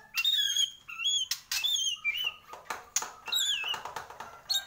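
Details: White-rumped shama of the Borneo type singing actively: very high, thin, sliding whistles and quick chattering bursts, delivered in rapid succession with brief gaps.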